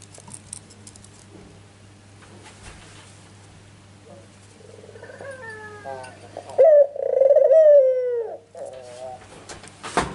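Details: Ringneck dove lure call for drawing answers: several seconds of scratchy background noise and soft rumbling, then a loud pulsing coo sliding downward, a lower rolling note, and a final sharp noise.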